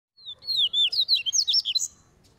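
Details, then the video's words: Double-collared seedeater in training, loose in the open: a fast, bright warbled phrase of high slurred whistles and twittering notes lasting under two seconds, over faint low background rumble. "COLEIRO CAVEIRAO TREINANDO NO SOLTO"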